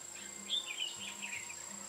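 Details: During bulbul trapping on 8 October 2017, a red-whiskered bulbul gives a brief liquid, slurred phrase in the middle, heard against a constant high-pitched insect whine and a faint low hum.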